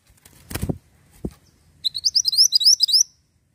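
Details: Ashy tailorbird song used to lure birds: a couple of low knocks, then a rapid string of sharp, high, upslurred notes repeated several times a second.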